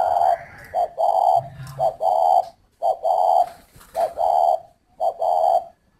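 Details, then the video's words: A spotted dove kept at a bird garden in Ba Vì, Hanoi, Vietnam, repeats mellow hollow coos, each a clipped note run into a longer drawn one, roughly every second, with a brief low murmur early on. "chim cu thổ"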